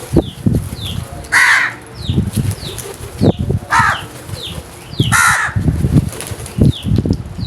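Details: Three rasping crow caws spread over seven seconds, mixed with low thumping and rustling noises and repeated descending chirps from small birds.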